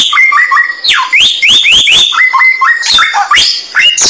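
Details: Samyong bird singing for a songbird tutoring track: flat, steady whistles, a series of swooping upslurs, then clear level whistles and descending notes, all loud and close.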